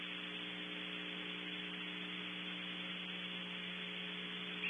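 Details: Steady electrical hum with a low buzzing drone and a constant hiss of static, with no animal voice anywhere.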